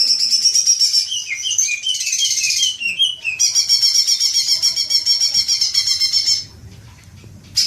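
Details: Green magpie lure recording to prompt long chattering: sustained high rattling chatter with clear downslurred whistled notes woven in, running about six seconds before a pause.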